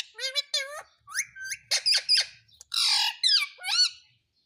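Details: Talking parrot repeating "mummy papa", a rapid run of loud, speech-like harmonic syllables with swooping pitch, one harsh noisy squawk in the middle, then more clipped sliding syllables, recorded close indoors.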